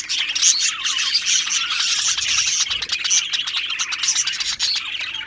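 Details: Dense chatter from a colony of Australian budgies in an aviary: overlapping high chirps, warbles and short squawks, with a few clear rising whistles early on.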